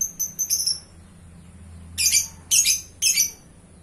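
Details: Lovebird in lively gacor singing: a quick run of shrill, very high chirps, then a pause and three harsher, buzzy high bursts about half a second apart, over a faint low hum.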